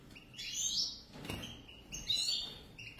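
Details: A pair of European goldfinches giving a couple of bright twittered phrases, a buzzy rising note followed by quick high chirps, with a short soft knock between them.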